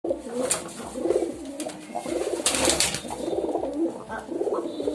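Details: Pigeons cooing in low, throaty, rolling phrases that overlap one another, with bursts of wing flapping and scuffling rustles throughout.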